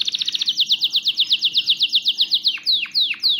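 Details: Canary song aimed at stimulating males and readying females for mating, a rapid chattering trill of slanted notes ending in four deep, swooping downslurred whistles.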